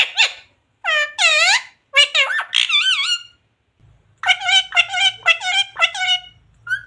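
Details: Pet parrot speaking words such as mummy and jay shree ram: clusters of harmonic, speech-like syllables with curving pitch, a pause, then a rapid string of short repeated syllables.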